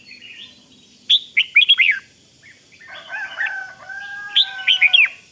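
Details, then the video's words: Red-whiskered bulbul in 'rik' style calling, used to stir up other bulbuls. A faint opening warble leads to a loud burst of clipped chirps, then soft steady tones and another bright chirp cluster at the end. "เสียงนกกรงหัวจุก ร้อง ริก ยั้วให้นกคึกดีมาก"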